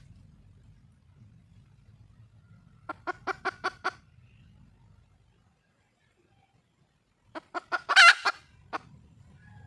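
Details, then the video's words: Red junglefowl hen, wild, calling to attract a male: a burst of five quick staccato clucks, a pause of several seconds, then another cluck series ending in a louder, harsher squawk-like note, over low background rumble. "le bruit d'une poule sauvage,เสียงไก่ป่าร้องหาถู่หาตัวผู้,ສຽງໄກ່ປ່າຮ້ອງຫາຄູ່ຮັກ, poj qaib qus see"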